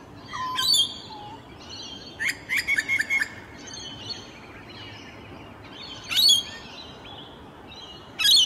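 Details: Rainbow Lorikeets feeding on blossoms in their natural habitat one morning; sharp screechy notes and a rapid stuttered series of four or five chips, then isolated shrill squawks a few seconds apart, with quiet background hiss.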